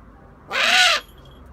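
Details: Loud, rasping hiss-screech from a Eurasian eagle-owl, one broad harsh note of about half a second with a slightly arched tone, in otherwise quiet surroundings.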